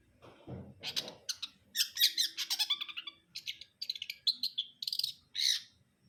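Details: A long-tailed shrike, or cendet brundol, pours out a dense, chattering song of rapid, scratchy twitters and squeaky notes with barely a pause. A low thud opens the passage.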